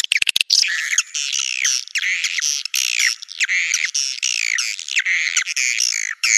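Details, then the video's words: Swiftlet call in the Naga Merah style, used to entice swiftlets to nests: a few fast clicks, then an almost continuous ringing chatter of curved, downward-sweeping buzzy notes. "Suara Burung Wallet Naga Merah durasi panjang!!"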